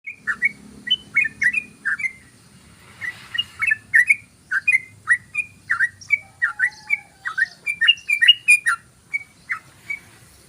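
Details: Yellow-vented bulbul singing a long ropelan, a rapid run of short slurred whistled notes, mostly two-part downslurs, given steadily for ten seconds with barely a pause between phrases.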